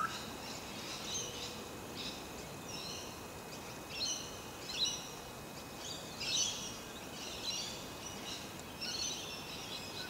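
Olive-backed oriole giving harsh, raspy high calls about every second or so, some louder and sharper than others, over a steady background hiss.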